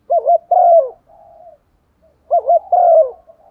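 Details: Luring call of a female dove seeking a male. Two deep phrases about two seconds apart, each a trembling double note and a long sliding coo, with a soft trailing note after the first phrase.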